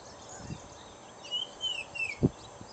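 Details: An oriole, one of several seen in the evening at Shady Oak Lake, Minnesota, at a distance; this bird sometimes left the end of its call off. A short run of clear whistled notes, sliding and slurred, with low thumps of handling noise.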